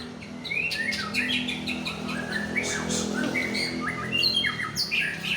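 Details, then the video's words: Aceh white-rumped shama, a fighter bird in peak form, delivers rapid loud whistles, clear upslurred notes and short bright trills in quick succession over a constant low electrical hum. "Murai Aceh"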